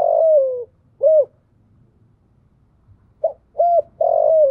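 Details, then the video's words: Spotted dove acting as a decoy to lure wild doves, calling in low soft coos: a long falling coo, an arched coo, a pause, then a clipped note, arched coo and drawn-out coo. "chim cu mồi gáy gọi, tiếng chim cu gáy kích bổi mới"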